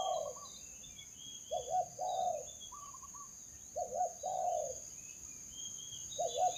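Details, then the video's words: Spotted dove coos as used for luring doves, outdoors: repeated low phrases of a quick double coo and a longer purring note, roughly every two seconds, with other small birds chirping and a steady high hiss behind. "memikat burung tekukur"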